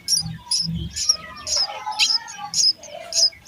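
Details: While a parent feeds them in the nest, young sparrows call with high, buzzy chirps about twice a second, over low thuds and rustling.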